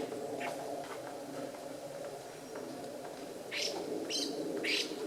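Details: A Chinese Hwamei (Garrulax canorus) in Japan, recorded 11 January 2014, gives three loud, harsh, bright bursts near the end, over a steady low murmur of other birds.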